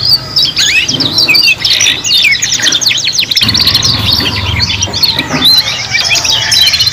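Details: Three young canaries sing together while learning their song, producing a busy stream of chirps, fast trills and sharp sweeping whistles without pause, with a constant low humming background.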